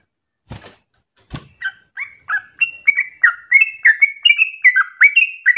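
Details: Yellow-vented bulbul song in a rapid, insistent style suited as material for other birds to copy: after two soft knocks, whistled notes start quietly and grow louder, bouncing between pitches about three times a second.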